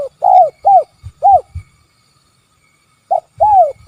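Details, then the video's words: Spotted dove calling in the "kuk 3" style: hollow arched coos in quick groups, three notes then a pause, then a short note and a longer coo. "Suara Panggilan Tekukur Kuk 3"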